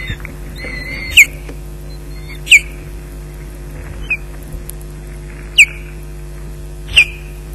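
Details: Osprey at its nest at Loch Garten, alarm calling at an intruder around 15:37 during a fish delivery: five sharp, piercing, downslurred whistled notes spaced roughly one to one and a half seconds apart over a steady low electrical hum.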